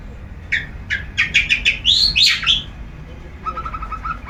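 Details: A long-tailed shrike out for its daily sunning sings ngeplong, nonstop: spaced chirps speed into two loud swooping notes, then a soft rapid chatter of lower, even notes follows.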